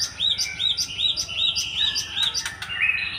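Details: Wild Java sparrow chirping: a fast, even series of high, clipped notes about three per second, ending with a few lower, drawn-out notes, over a faint low rumble.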